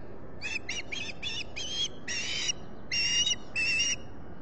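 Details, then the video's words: At its Finger Lakes nest, US, an osprey squawks on the morning of 23 July 2021: a run of about eight sharp, chirping notes, the later ones longer and louder, over steady low rumble. "Olan squawking"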